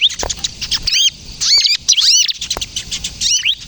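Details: Bar-winged prinia, crystal type, singing to lure and train other prinias: groups of high hooked whistles separated by scratchy ticks and short gaps.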